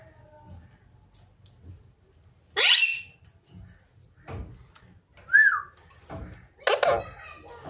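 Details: Rose-ringed parakeet gives a harsh rising screech, then later a second raspy burst. A short clear whistled note rising and falling sits between them, amid soft clicks and a quiet background.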